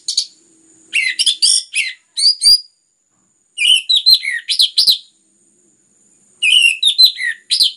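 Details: Anis merah, orange-headed thrush, singing gacor in three dense phrases of varied whistled and warbled notes, each around a second long, divided by short silences; used as a lure to stimulate other birds.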